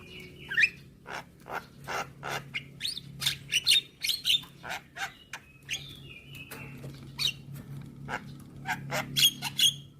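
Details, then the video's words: Javan myna song played every morning to train young birds: sharp whistled notes and clicks at an uneven pace, with brief twangy phrases and a steady low hum underneath. "Masteran Burung JAlak Kebo Muda Agar Cepat GAcor Manggut Manggut Rutin Putarkan Tiap Pagi"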